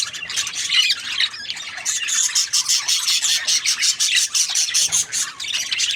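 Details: Budgerigar chirping, with high scratchy warbles giving way to a quick run of short, sharp chirps repeated roughly three per second, uneven in spacing. A group chatters together over a faint low hum.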